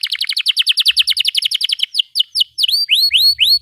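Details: Canary in long, non-stop 'gacor panjang' song used as a tutor for young canaries: a rapid run of bright descending chirps, then slower, louder rising whistled sweeps, with faint low thumps beneath.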